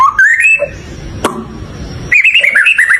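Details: White-rumped shama singing rich whistled phrases that slide upward, then a pause broken by a sharp click, followed by a fast run of warbled, looping notes.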